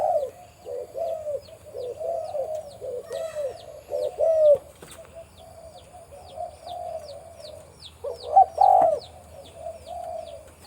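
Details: Spotted dove, a deep-voiced breeding male on a farm, giving low hoarse coos in overlapping phrases, with a quick high chirp repeated about twice a second above them and occasional soft clicks.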